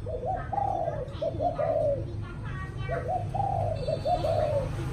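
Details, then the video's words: Spotted dove cooing in the evening: two phrases, each of two or three short soft notes leading into a longer, drawn-out, falling coo, with a low steady hum behind. "Cu gáy chiều tối"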